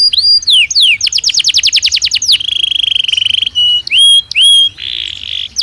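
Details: A Belgian canary sings naturally, with varied phrases: a falling whistle, a fast sweeping trill, a dense buzzing roll, clear rising whistles and a harsh burst near the end, all bright and high-pitched.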